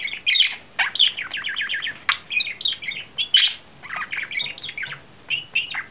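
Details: Male budgerigar courting in April 2009, warbling in quick bursts of chirps, rasping notes and clear little whistles, the phrases separated by short breaths.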